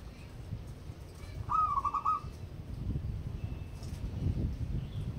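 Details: A local wild-type zebra dove in active song gives one cooing phrase: a clear first note breaking into a rapid, rolling string of short, even coos, with low background rumble before and after.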